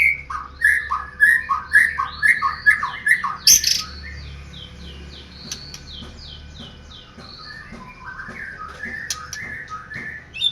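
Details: Kept white-rumped shama delivering a fast run of repeated slurred whistles, about two per second, then a harsh burst. It follows with quieter scattered high chips and clicks against a low room hum.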